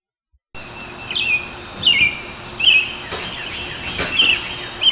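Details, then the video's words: American Robin singing short, clear, warbled phrases of two or three notes, like "here I am, where are you?", each slightly rising or falling, about a second apart over soft background hiss. "The American robin's song is a continuous two or three notes that sounds like here I am, where are you?"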